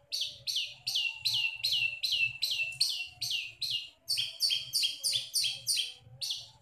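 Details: Long-tailed shrike in full voice, showing off its mimicked songs: a fast run of scratchy, downslurred notes, roughly two or three each second, shifting midway to higher, sharper notes, with a low background hum.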